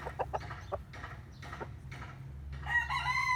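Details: Chicken in the morning: a few soft, quick clucks, then a loud rooster crow begins near the end, a stack of bright harmonic tones that is cut off as the clip ends.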